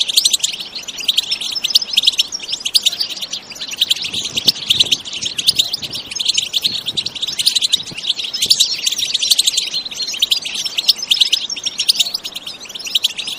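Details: Energetic bitbita-style goldfinch song, natural with no sound effects: long run of dense high twittering and rapid chirps, steady throughout, with faint low background rumble.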